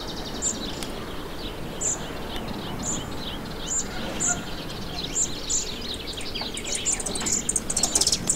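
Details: A fledgling song thrush being fed after leaving the nest gives thin, very high tsip notes, about once a second and quickening toward the end, over steady rushing noise, in a garden in Morbihan, Brittany, France, on 27 June 2023.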